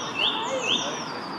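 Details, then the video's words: Song thrush singing high up in a tree in Pittencrieff Park, Dunfermline, Scotland: two bright, rising whistled notes in quick succession against a steady background hiss. "Song Thrush singing up high in a tree"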